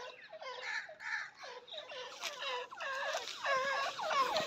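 Francolin calling in loud, harsh, harmonic notes repeated quickly and overlapping, building into a dense chattering chorus by the end.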